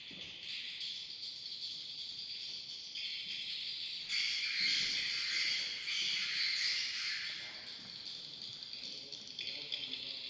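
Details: A dense, continuous chorus of high, rapid chirps and twitters from many swiftlets at a swiftlet bird house in Kota Klias, Beaufort, Sabah, overlapping into a steady shimmering buzz with no pauses.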